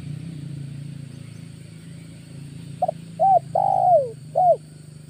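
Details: Over a steady low hum, a Spotted dove lure call used in August: a quick double note, a clipped coo, a long descending coo and a closing short coo near the end.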